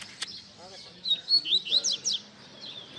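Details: Double-collared seedeater singing a baderna-style tutor song used to teach young birds. A rapid burst of high, sharp chirps and slurred whistles about a second long, with a single faint click just before.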